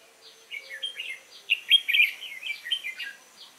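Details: Competition song of a young wild-caught red-whiskered bulbul, 22 October 2018: a run of cheerful warbled notes rising to a loud rich phrase mid-clip, then trailing into lighter chirps.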